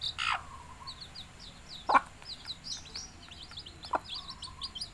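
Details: Hen calling chicks to feed with three sharp clucks roughly two seconds apart, while the chicks keep up a stream of thin, high, downward-sliding peeps.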